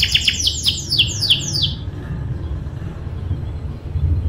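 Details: Canary rolling song meant to tutor young canaries: under two seconds of rapid, repeated downward-slurred whistles, followed by low rumbling background noise.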